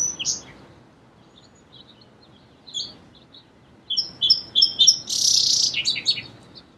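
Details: Song sparrow song: scattered high chips and short notes at first, then a quick run of sharp notes building into a dense buzzy trill with descending notes, all high-pitched over a quiet background.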